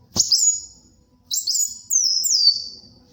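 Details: High thin song of a brown-throated sunbird, for luring and tutoring: a sharp opening knock, then long whistled notes that waver and slide slowly downward.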